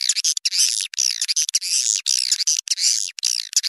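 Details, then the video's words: Swiftlet lure call used to draw swiftlets into nest houses for swiftlet farming: dense, high twittering chirps in rapid bursts separated by brief clean gaps, with nothing heard in the low range. "Suara Walet Panggil Tarik Luar"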